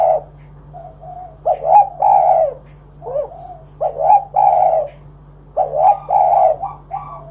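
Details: Spotted dove calling as a lure for other doves to sing, with throaty descending coo phrases at regular intervals and softer short coos in between, over a steady background hum.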